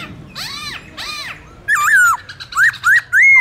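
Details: Black-throated laughingthrush in wild song used to train young birds: two harsh arched notes, then loud bright whistles that rise and fall in quick succession.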